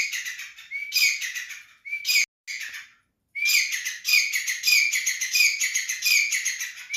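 Grey francolin giving loud, harsh, ringing notes in rapid repeated bursts, with a brief silent break partway through before the calling resumes.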